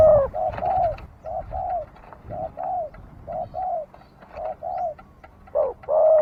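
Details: Dove giving steady coos, each a short note paired with a longer falling one, pairs repeated about every second; soft background noise.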